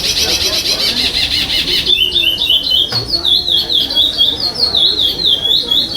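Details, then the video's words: Chestnut-bellied seed finch (curió pardo) at a 2021 state singing competition, eighth stage, placing fifth, in the 'sem repetição' style: a rapid buzzy pulsed passage, then a steady run of high clear whistled notes, each sliding downward. "CURIÓ PARDO SEM REPETIÇÃO"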